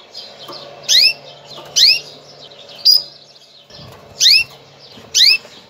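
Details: Female canary giving a mating call meant to ready males for breeding: sharp, sweeping chirps that drop in pitch, repeated about every second, six in all over a faint low hum.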